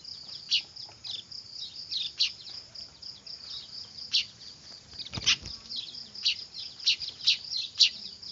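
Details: Weaver chicks calling noisily, a sound used to lure birds: sharp high chirps recurring at uneven intervals above a continuous shrill hiss, growing denser toward the end.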